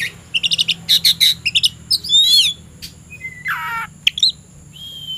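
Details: Afternoon song of an oriental magpie-robin presented as ready to fight a rival: a quick run of sharp clicking notes, then a warbled whistle, a buzzy descending slur and clear high whistles, over faint background hum.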